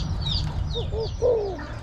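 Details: A spotted dove gives soft, low coos, a few short hooting notes followed by a longer drawn-out one, over a steady low hum, in a comparison of hybrid and wild spotted dove song.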